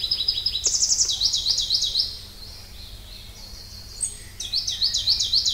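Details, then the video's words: Pallas's leaf warbler sings very high, rapid trills of repeated notes in two bursts separated by a brief pause, over a faint low hum. "try to hear this Pallas's leaf warbler"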